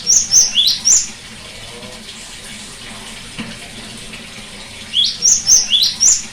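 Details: Cinereous tit singing, used as therapy to get a bird that has stopped singing to sing again: two quick bursts of four high, sharp whistled notes mixing level and sweeping tones, separated by about four seconds of near-quiet.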